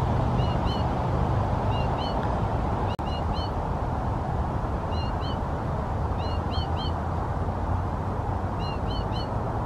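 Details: Young American goldfinch calling in low trees, giving high, rising chirps in quick pairs and triplets repeated every second or so, over a steady low rumble like distant traffic.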